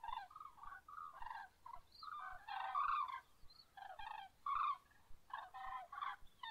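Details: Dawn chorus of common cranes: loud, bugling, rattling calls pile up almost without pause, several birds calling together, with stronger peaks in the middle and toward the end.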